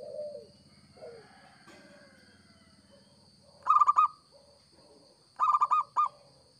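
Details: Local zebra dove calling as a trapping lure: after quiet soft coos and a low hum, two loud bursts of fast stuttering coo notes arrive near the end, with a faint steady high whine.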